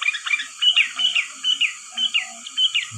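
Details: Softer, more distant chatter of sooty-headed bulbul for trapping: scattered bubbly chirps and short slurred whistles in uneven bursts, with a steady high hum behind them.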